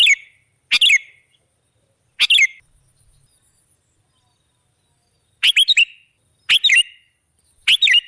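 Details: Sooty-headed bulbul lure recording: brief, bright bubbly phrases separated by long silent gaps of up to three seconds, then a quicker series toward the end.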